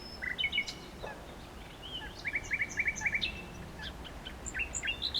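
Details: Singing nightingale delivering a varied phrase: opening squeaky notes, then a rapid run of identical clipped notes repeated about four times a second, followed by sharp rising chirps, over a soft outdoor hiss.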